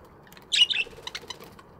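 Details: A budgerigar in a morning aviary gives a single quick bright chirp, followed by soft fluttering, wing-like rustles.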